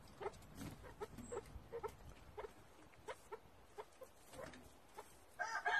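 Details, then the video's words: Chukar partridge in Tajikistan giving a quiet series of short, low clucking notes, roughly two per second, fairly evenly spaced, with a brief louder burst of sound at the very end. "Садои Кабк 2020.Как поёт горная Куропатка,Кеклик 2020.Partrige,Keklik in Tajikistan"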